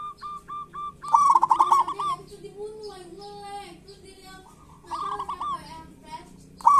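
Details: Zebra doves of local birds singing to draw reluctant doves into song: a few separate coos, a long loud rolling trill, then a low drawn-out wavering call before another trill.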